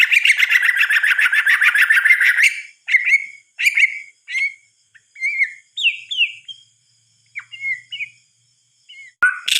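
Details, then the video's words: White-rumped shama at night beginning with a dense, buzzy rattling phrase, then a spaced series of short clear whistles and slurred notes with gaps, ending in a sharp click and a high note. "Suara Kicauan "MURAI BATU" di Malam Hari"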